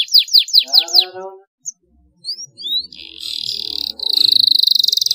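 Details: Canary song meant to stimulate reluctant canaries into singing: high, fast descending slurred notes over a lower trill, a few scattered whistles, then long buzzy, rapidly pulsed rolls.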